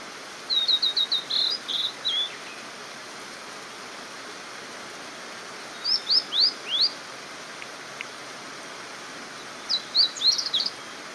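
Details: A blue-and-white flycatcher sings along a nearby mountain stream on 22 May 2018: three short phrases of high, clear whistles, roughly four seconds apart, over steady rushing stream water.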